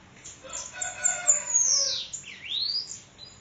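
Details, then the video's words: Bananaquit (sibite) from Parnamirim, Rio Grande do Norte, called 'endemoniado', singing a high, thin phrase: short chips, then a long whistle sliding steeply downward and a quick dip-and-rise sweep. "Sibite endemoniado 2 parnamirim~rn"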